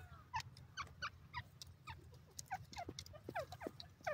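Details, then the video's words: White francolin producing clusters of short, curved, falling notes, several each second, fairly close, with scattered clicks and a steady low background rumble. "irani teetar voice, white francolin voice, teetar bird"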